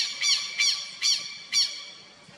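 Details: A Southern lapwing (Vanellus chilensis) at its nest in the Botanical Garden, São Paulo, in August 2021 gives four harsh, strident, high-pitched notes, evenly spaced about every half second.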